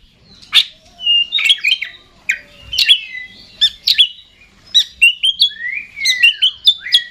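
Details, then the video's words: Oriental magpie-robin, a kept songbird of the type entered in singing contests, delivering a lively stream of sharp chips, short whistles and a long descending slur near the end. "Suara Kacer Super Gacor Ngeplay Konslet Ekor Goceng"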